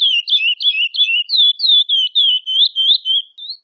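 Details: Female Chestnut-bellied seed finch soliciting mating: a steady series of short, high, slurred chirps, about three per second, each dipping and rising, with clean silence between notes.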